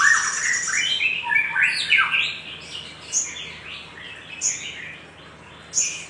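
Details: Little spiderhunter lure call meant to stimulate other birds: a dense burst of rising and falling chirps at the start, thinning into scattered short high squeaks separated by quiet gaps.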